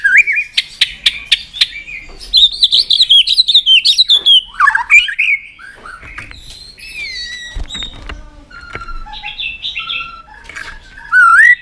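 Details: White-rumped shama song used to rouse other shamas: a rapid series of sharp clicks, a long wavering whistled phrase, then scattered slurred whistles, clicks and a loud final burst.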